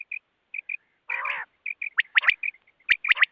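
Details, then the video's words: A quail, named as possibly a rain quail or a female common quail, gives short clipped high chirps, then a harsh buzzy burst, then quick upward-sweeping squeaky notes about three to four times a second. "quail sound/rain quail sound"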